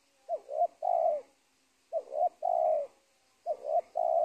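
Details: Spotted dove at the edge of a teak plantation by a former cornfield in Indonesia, during bird trapping. Three phrases, each two short rising coos then a long, drawn-out coo, repeated about every 1.6 seconds.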